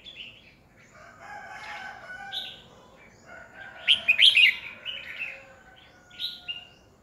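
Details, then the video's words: Decoy red-whiskered bulbul singing competitively, used to train other bulbuls and stir them into song; short warbled phrases near the upper-middle range, building to a loud burst of bright, chattering notes midway, with quieter phrases after. "Chào mào mồi cực hay khi luyện giọng ép bổi sổ bọng 2020, Cách luyện chào mào hót căng lửa 2020"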